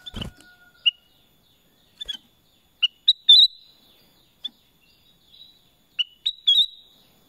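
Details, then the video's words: Repeated short whistled phrases from a Black-crested bulbul, each a few quick sliding notes ending in a fuller whistle, recurring roughly every three seconds, with one opening knock. "Suara Kutilang Emas | BLACK CRESTED BULBUL"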